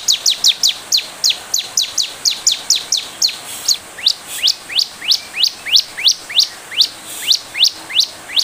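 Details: Bar-winged prinia (ciblek) in lively gacor song, played as a lure so other prinias respond quickly; sharp, high, downward-sweeping chirps repeated rapidly, roughly three per second, in a steady unbroken series over a quiet background.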